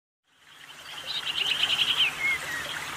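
Common Iora giving a quick, high, buzzy trill of rapid repeated notes, ending in a clear downslurred whistle, over steady background hiss.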